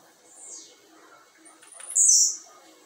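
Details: Blue-black grassquit placed outdoors by its keeper at a quarter past five in the afternoon: a soft, descending, high note, then a single strong, high, buzzy burst.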